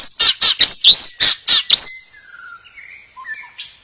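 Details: White-rumped shama song used to provoke other birds into singing: seven loud, harsh, high bursts in quick succession, then a quieter stretch of thin whistled notes sliding at varied pitches.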